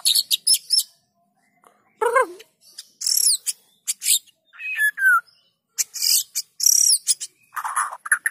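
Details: White-rumped shama singing vigorously, used as a lure to prompt lazy shamas to join in; varied phrases of high buzzy chips, a falling slurred whistle and rapid ringing notes separated by short pauses.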